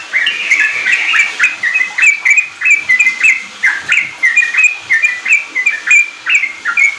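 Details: Lure song of a sooty-headed bulbul for unschooled caged bulbuls, in the lively ropel manner; dense, continuous chatter of bright whistled notes, bunched tightly at first, then spaced into a rhythmic series of quick flicks.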